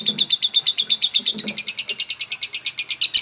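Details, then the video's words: Lovebird in ngekek style, a long continuous chatter of rapid buzzy notes about eight per second, rising slightly in pitch midway, used to provoke other birds into singing. "Kicau burung lovebird"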